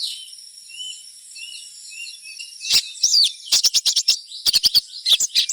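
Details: Crimson sunbird 'trotolan' chirping, a call said to set other sunbirds singing: soft, thin background twitters at first, then a fast, stuttering series of sharp high chirps in quick clusters.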